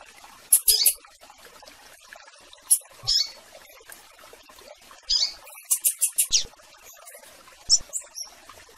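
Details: Double-collared seedeater (coleiro) calling to a female, a blue-black grassquit (tiziu) heard too; clusters of piercing high notes, some quick series of four or five, mixed with brief buzzy chirps and pauses.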